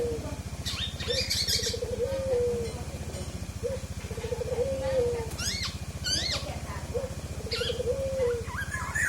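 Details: Forest oriole, a caged bird, giving a fluting whistled phrase that rises then slurs down, repeated about every three seconds, with short higher chirps between. A steady low mechanical hum runs underneath throughout.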